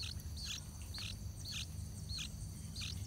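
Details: Bulbul chicks, yellow-vented, shuffling on the nest rim as parents keep feeding before the young fly out; bright clipped chirps, each with a downward hook, about two per second, over continuous high buzzing and low background noise.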